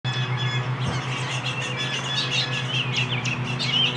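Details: An American robin fledgling being fed by an adult gives rapid, high, squeaky begging chirps in quick bursts, over a steady low mechanical hum.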